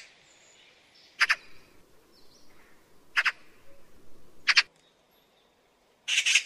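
A Eurasian magpie gives four harsh, rasping chatter bursts, each a quick rattle, spaced about every one and a half to two seconds against a quiet outdoor background.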